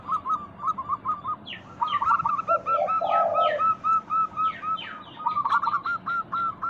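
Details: Zebra doves singing in a lure recording to trigger other doves' calls: a steady, regular series of short clipped coos with one deep rolling coo midway. Busy high chirping from other birds continues in the background.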